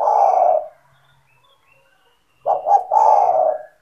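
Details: Caged spotted dove (tekukur) in vigorous call, used to lure other doves into calling; a low, throaty coo, a silent pause of nearly two seconds, then a rapid stuttered pair of notes running into a longer purring coo.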